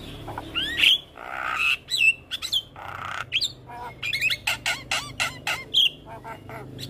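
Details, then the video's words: Black-winged starling tutor song for young birds: a varied mix of upslurred whistles, harsh buzzy squawks and rapid sharp downslurred notes, loud and uneven throughout. "Masteran Jalak Kebo Full Isian Pas Buata Jalak Kebo Muda"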